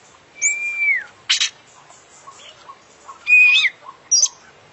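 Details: Oriental magpie-robin, a singing international champion with a full filler repertoire, delivers a long level whistle that drops at its end, a harsh rasping burst, then another whistle with buzzy notes and a high squeak.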